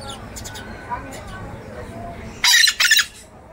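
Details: Scarlet-fronted parakeet letting out a loud, raspy double screech, two harsh bursts in quick succession after faint chatter.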